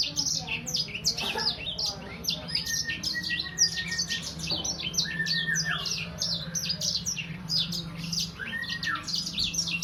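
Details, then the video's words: Sangihe hanging parrot, a young bird about three months old, keeps up a dense stream of high, sharp chirps and twitters with a few longer whistled slides. A steady low hum and faint voices run underneath. "Burung sanger paud..durasi 2 menit tanpa jeda."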